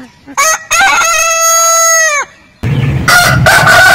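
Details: Heritage-breed rooster giving one long, level crow of about one and a half seconds that ends with a downward slur, followed by a rougher, noisier crow overlapped by rustling.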